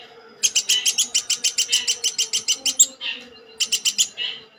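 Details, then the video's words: Rapid bursts of sharp, high-pitched notes from a woodpecker called platuk sampit: one run of about fifteen quick notes, a brief softer note, then a shorter burst of five, over a faint low hum. "Burung Platuk Sampit"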